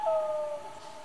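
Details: Brief fragment of a common loon's night call: one clean, slightly falling tone that fades out within about a second.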